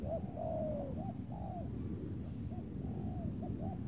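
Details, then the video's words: Spotted doves calling at a trapping site in Tangerang, decoy answering a loud target bird on a grey afternoon before rain. Low repeated coos, some hooked and some long and falling, with insect pulses overhead. "memikat tekukur tapau sibongsor suara besar angguk rapat"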